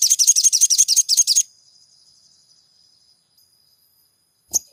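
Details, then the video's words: Crimson sunbird song used as a lure to stir a silent caged bird to sing: a fast run of bright, high twittering notes, about a dozen in just over a second, then near silence and one last sharp chirp. "MASTERAN SOGON GACOR PENJEBOL EMOSI SOGON MACET BUNYI"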